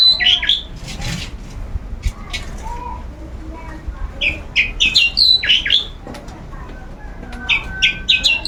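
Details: Caged long-tailed shrike out for its routine sunbathing, unable to keep quiet: scattered sharp whistled and rasping notes, with bursts of several quick upslurred notes and some brief noisy sounds in between.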